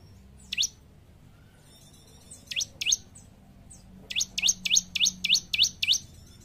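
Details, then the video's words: Bar-winged prinia (ciblek), gacor bird for training caged ombyokan birds: a few isolated upward-flicking chirps, then a steady run of about seven sharp rising notes. "Burung Ciblek Gacor l Untuk Melatih Mental Ombyokan Agar Cepat Bunyi"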